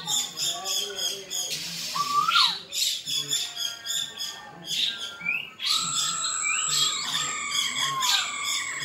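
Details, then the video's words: Rapid rattling chatter and sharp upward-slurred whistles from a black-throated laughingthrush singing its fighting song, with a brief hiss burst near the start and long, level whistled notes toward the end. "Khưu mun hót đấu"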